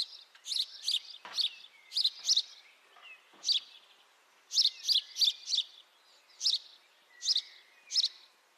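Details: House sparrow chirping, captured with a high-quality microphone: loud, harsh chirps centred high, given singly and in quick pairs or triplets with irregular pauses; faint thin whistles from other birds underneath.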